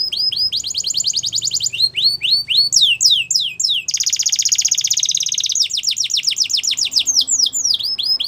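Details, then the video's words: Singing canary delivering rapid rolls of high downslurred notes, switching midway to a loud buzzy trill, then back to fast repeated falling whistles. "Your Canary Is Quiet ? Will Sing Again After Listening To This"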